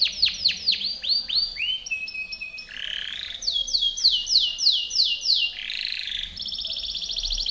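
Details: Powerful Timbrado canary training song, very varied: descending curved notes, a flat whistle, a rough buzzy burst, rising arched notes, another rough burst and a fast rattling trill.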